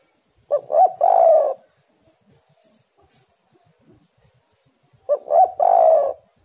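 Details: Tekukur, or spotted dove, singing eagerly to prompt others: two phrases about four seconds apart, each two brief hooting notes then one long, steady, low coo.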